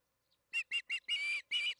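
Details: Osprey at the Charlo nest at feeding time, June 21, 2019, 8:15 pm MDT: three quick whistled chirps followed by two longer, strained whistles, all loud and close.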